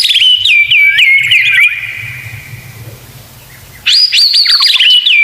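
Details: White-rumped shama (murai batu) 'isian tembakan' masteran. A loud phrase of high sweeping whistles ends in descending slurred loops, followed by a quiet gap and a second similar phrase.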